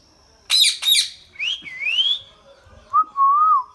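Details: Indian ringneck parakeet, kept as a talking pet bird: two loud harsh squawks, then a rising whistled phrase and a lower, wavering voice-like phrase, all clear and close over a quiet background.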